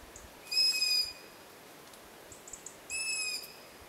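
A young long-eared owl gives two high, thin, squeaky begging calls, like a creaking hinge, about two seconds apart, with fainter calls from siblings between them.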